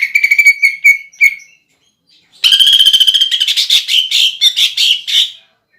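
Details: Loud greater green leafbird song with a woodpecker-style fill: a run of quick bright chips is followed after a pause by a long harsh rapid rattle that breaks into separate strident notes.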